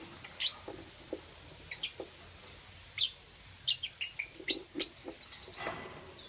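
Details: Green, yellow and lutino lovebirds chirping in the morning, heard softly over steady background hiss: scattered short, sharp high chirps, clustering into quick series toward the end.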